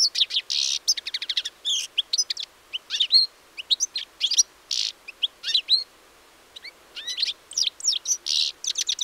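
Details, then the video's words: Song of a European goldfinch, 4 April 2018, with lively runs of tinkling, liquid notes alternating with nasal buzzy bursts, delivered in rapid bouts with short gaps in between. "Stieglitz Distelfink Goldfinch"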